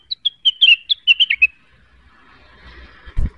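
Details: Cucak wilis in neritik song, seeking a rival: about ten crisp whistled notes in quick succession, then faint hiss and a low thump.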